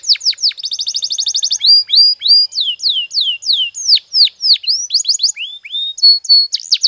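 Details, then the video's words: Canary song used for canary training: quick clipped notes and a rapid trill, followed by a run of loud, separate, high whistled downslurs at varied pitches. "Your Canary Will Sing Immediately - Canary's Sound Training Every Morning"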